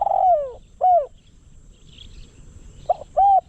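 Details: A spotted dove used as a decoy to attract wild doves gives a long coo sliding downward, then a short arched note. After a brief pause come a soft clipped note and another steady coo.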